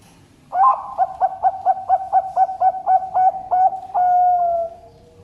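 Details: Zebra dove from a bird farm in Sidoarjo, East Java, Indonesia: a sharp opening note, then about ten quick mellow cooing pulses in an even run, closing with one long drawn-out level coo; quiet background.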